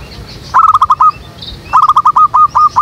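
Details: Zebra dove as a lure bird in a jackfruit tree behind a house, used for trapping doves; two phrases of rapid clipped coos, the second trailing into longer, evenly spaced notes.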